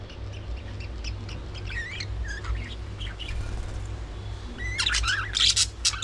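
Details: Budgerigars during early morning feeding, with soft, sliding, warbled chirps rising and falling, then a loud, harsh, chattering burst in the final seconds, all over a low droning hum.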